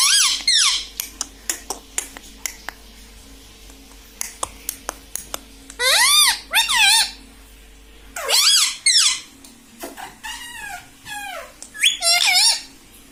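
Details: Pet parrot indoors, said to speak 'mummy' and 'mitthu', gives several loud arched, harmonic speech-like calls in bursts between sharp clicks and taps, in a quiet small room.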